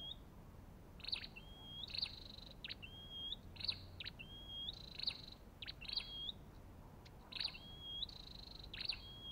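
Olive-backed tailorbird giving sharp, high chips, each followed by a short rising whistled note, repeated roughly every second over a soft low rumble.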